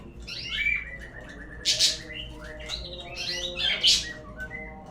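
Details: White-rumped shama song used as a lure to make birds sing: a rich run of whistled notes broken by two loud, harsh, high bursts, over a faint low hum.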